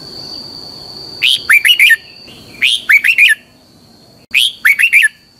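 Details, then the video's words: Red-whiskered bulbul decoy song for training, giọng kép xoắn dài (long double twisting voice). Three repeated phrases come about every one and a half seconds. Each opens with a rising whistle followed by three rapid looping slurs. A faint steady high tone sounds underneath. "luyện giọng cho chào mào hót hay - Giọng kép xoắn dài"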